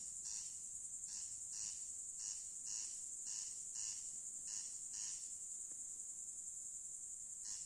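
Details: Corn crake rasping at night: regular, scratchy paired notes that stop near the end, over an unbroken shrill chorus of insects.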